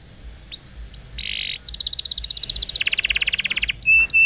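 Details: Canary song used as a lure to make young or silent canaries start singing: faint high chips, a harsh buzzy block, then fast dense rattling trills at two pitch levels, ending in sharp high whistled notes.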